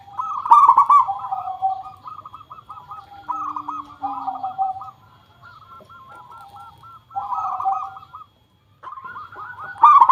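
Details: Zebra dove song used as a lure for other doves: bursts of rapid, stuttering coos in rolling phrases, with pauses between them and a faint lower hum in the middle.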